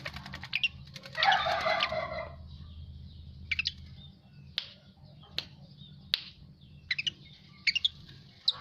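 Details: After a bath, an Asian pied starling gives one loud, harsh, rich burst of layered notes near the start, followed by scattered sharp clicks and short chips against a constant low background hum.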